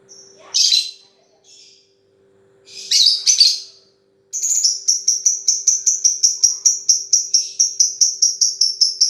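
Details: A lovebird gives two harsh high squawks, then launches into a long 'ngetik' chatter of quick, bright, clicking notes repeated about three times a second, with a faint low hum in the background.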